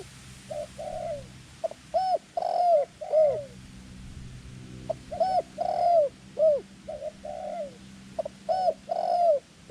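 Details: Captive decoy dove used in ground and tent-trap luring of wild doves, Thailand, described as small-voiced with white claws; short bright cooing notes rising and falling, delivered in clustered bursts separated by quiet gaps, low hum underneath.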